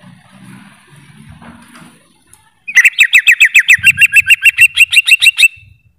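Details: Greater green leafbird delivering a fast, steady series of sharp, bright chip notes, roughly fifteen in under three seconds, after a faint low background murmur.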